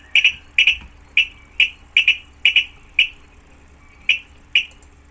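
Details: Virginia Rail recording played for Minnesota marsh surveys: sharp, metallic ticking notes, some doubled, repeated irregularly about twice a second over a faint low hum; a Sora was possibly heard in the background.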